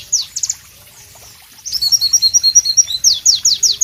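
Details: White-eye (Pleci) song: scattered sharp high notes, a quiet pause, then a lively twittering run of high chirps ending in strong falling slurs.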